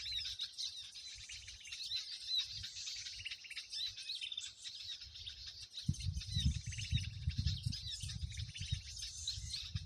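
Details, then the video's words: Many birds chattering at once, a lure used to catch birds with bird lime: steady high twittering and trills, joined partway by rumbling low-frequency handling or wind noise. "suara burung ribut ampuh banget,2 menit sudah nempel di pulut"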